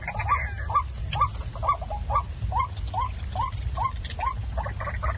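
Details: Waterhen call used at night to attract birds for trapping: about eleven short upslurred notes at an even rhythm near two per second, over noticeable low-pitched background noise.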